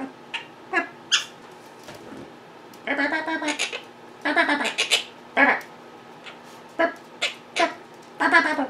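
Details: Pet monk parakeets indoors, vocal and mimicking while their owner edits at a computer: bursts of harmonic, speech-like chatter and squawks in short phrases, with quiet gaps between.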